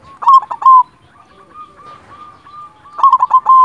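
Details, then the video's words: Silver local zebra dove (perkutut), a prolific singer meant to lure and stimulate quiet doves, giving bursts of rapid cooing notes at the start and end with a softer level coo trailing between. "Perkutut silver gacor Jagonya Mengundang Bunyi Bikin Yang Macet Langsung Nyaut"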